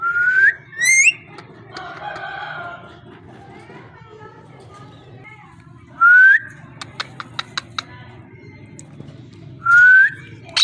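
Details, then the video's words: Parrot giving three loud, short whistles that sweep upward, about four seconds apart, with a murmur of speech-like sounds and a quick series of sharp clicks between them. "Amazing parrot talking and voice"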